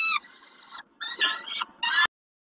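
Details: Peregrine falcon during a snack at Kawęczyn, 20.05.22: harsh, grating, rasping calls in three bursts, the last one cut off abruptly and followed by silence.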